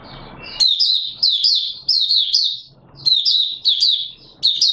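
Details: Mata Puteh Raja, the Oriental white-eye, in opening song on 24 March 2022: high twittering phrases of quick downslurred notes, repeated in bursts with brief pauses.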